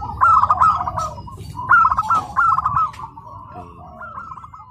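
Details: Tame local wild-type zebra dove singing during its first practice contest in Karawang, Indonesia: several short, rapidly trilled cooing phrases, then a softer trailing phrase, over a low rumble of background noise.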